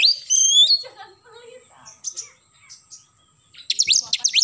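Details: Oriental magpie-robin in morning 'nembak' song: a loud rising whistle, a stretch of soft twittering, then a burst of quick downslurred notes.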